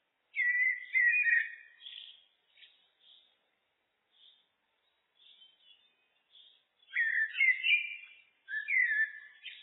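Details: Common blackbird (Turdus merula) singing: two loud, fluty warbled phrases open and close the stretch, with soft, scattered high twitters in the quiet gap between them; no other sounds.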